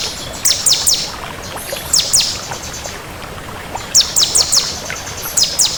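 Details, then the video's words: Bar-winged prinia, crystal variety, in active song: clusters of three to four thin, high down-slurred notes separated by short gaps, with faint rushing noise throughout. "Suara Burung Ciblek Kristal Gacor"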